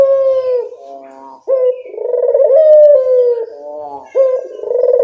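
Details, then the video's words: Cooing of a local Barbary dove, played as a lure to get birds to respond: sharp rising onsets leading into long, slightly wavering sustained notes, separated by softer rolling notes. "Suara pancingan burung puter lokal sangat mudah nyaut"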